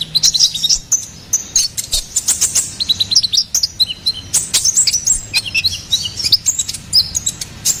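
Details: Long bout of ruby-cheeked sunbird song meant as a master recording and lure: dense, high, tinkling chirps and trills running almost without pause, with brief clicking notes.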